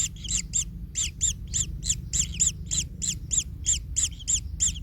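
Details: A kingfisher nestling, trampled by its parent, repeats sharp double-peaked chirps about three per second with a squeaky high edge, fairly even in rhythm, over a low hum.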